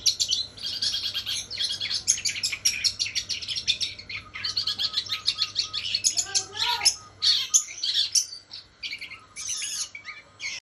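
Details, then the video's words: Long-tailed shrike, its song stuffed with mimicked house sparrow and kunti phrases: rapid, crowded high chattering, a short run of descending whistled notes midway, a brief lull, then more sharp chirps. "CENDET ISIAN GEREJA SAMBUNG KUNTI"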